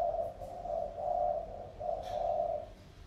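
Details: Caged decoy spotted dove, wild-caught Sóc Trăng strain tamed for two years, in full voice: three drawn-out, low, husky coos running almost together, then falling quiet.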